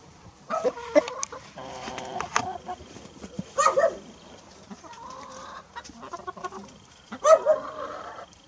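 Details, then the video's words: Grey rooster eating cookies from a person's hand, giving drawn-out, harmonic, nasal calls lasting under a second, broken by short clucks and sharp clicks, with faint background noise. "Rooster crowing, Natural Sound"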